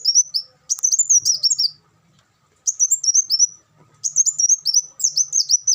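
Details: High, thin olive-backed sunbird song, clean and close, in fast twittering bursts with one long silent gap partway through. Used to train captive birds.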